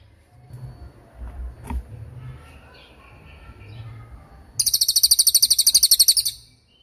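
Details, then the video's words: Cililin songbird in a long, sharp masteran recording meant for training other songbirds: after quiet low rumbling, a dense high trill of rapid, evenly repeated notes begins and runs for about two seconds. "MASTERAN CILILIN || TAJAM DURASI PANJANG"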